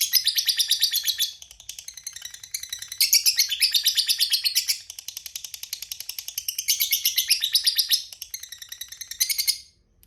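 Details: Long "ngekek" trill of a lovebird, the drawn-out chatter favoured by Indonesian hobbyists: rapid harsh pulsed chattering in three or four sustained bursts of roughly one to two seconds each, almost without pause.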